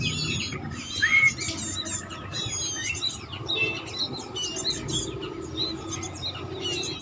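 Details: Bar-winged prinia, batik type, kept at home, sings busy bursts of sharp high chirps and short trills, with one brief rising whistled note early on, above a steady low hum.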